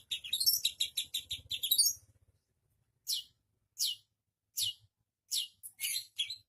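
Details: Shrike song that copies other birds' calls: a rapid twittering run with rising whistles, then separate sharp chip notes spaced about every half second, over a faint low hum.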